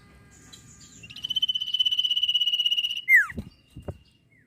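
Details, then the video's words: Singing sirpu recorded as training audio for songbirds: a fast buzzy trill of about two seconds, a loud slurred downward whistle, then two short low knocks. "sirpu gacor ngetir bagus"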